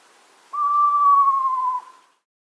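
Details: An Eastern Screech-Owl gives its horse-like whinny, used to defend territory: a single high, whistled call lasting just over a second, falling slightly in pitch toward the end, against a quiet background.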